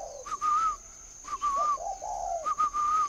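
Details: Spotted dove at a dove-keeping farm in Ba Vì, Hanoi, northern Vietnam: three phrases, each a clear whistled note followed by low, throaty coos, about one second apart, over a steady high hiss.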